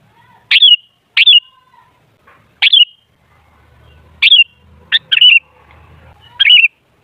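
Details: Sooty-headed bulbul used as a lure: seven short, sharp down-slurred notes at irregular intervals, over a faint low rumble.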